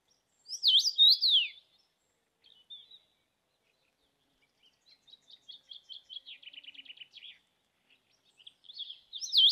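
Common rosefinch giving loud, clear whistled phrases that slur down and up, at the start and end. A quieter rapid trill of dry repeated notes fills the middle.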